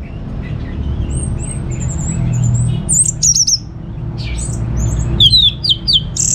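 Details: Orange-headed thrush at home in Singaraja, North Bali, used as a lure song: thin high whistled notes at first, then short bursts of sharp chips and downslurred whistles, over a steady low background hum.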